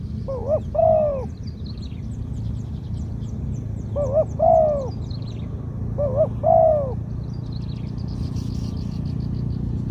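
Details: Zebra dove song in the 'two kuk ku-ang' style with a middle-pitched voice, a bird suited as a decoy: three cooing phrases, each a quick double note then a longer rolling coo, about every two seconds, over steady low engine rumble.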